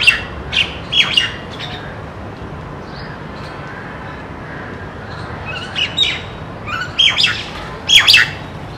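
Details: A common myna gives harsh, scratchy alarm notes in short bursts, at the start and again near the end, over a steady low hiss; an alert Indian palm squirrel checks the direction of the alarm.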